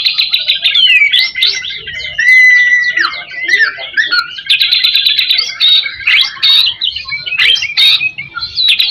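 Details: White-rumped shama song played as a lure to stimulate other shamas: a loud, continuous, varied run of whistled, slurred and trilled phrases that leap and glide at high pitch, with brief rapid clicky bursts and almost no pause.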